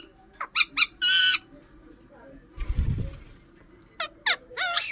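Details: Indian ring-necked parakeet giving a few short, bright harsh squawks, then a rising screech at the end, with a burst of low fluttering wing noise in the middle.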